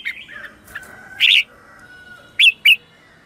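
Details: Red-whiskered bulbul in morning song, used as a lure for wild birds: soft warbles give way to a loud harsh chirp, then two quick bright notes in succession near the end.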